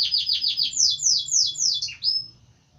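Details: Canary phrase of rapid repeated chirps that slow into longer, louder downward-sliding whistled notes, ending in a rising sweep then quiet.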